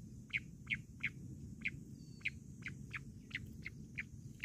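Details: Bush quail heard in a quail-hunting context, giving a steady run of brief bright chirps roughly three per second, clear above soft low-frequency background noise.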